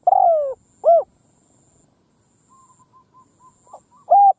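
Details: Decoy spotted dove calling in a field to attract wild doves: a long falling coo and a short arched coo, then quieter distant repeated coos, and another loud short coo at the end.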